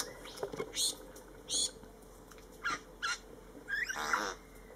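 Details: Satin bowerbird in Lamington National Park giving short, harsh, buzzy rasps at an uneven pace, roughly one a second, over a faint steady forest hiss.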